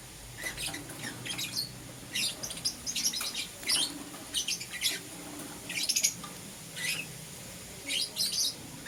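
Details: Morning chirping of lovebirds, green opaline and lutino Euwing types: bursts of shrill, scratchy chirps every second or so, some doubled, above a quiet hum.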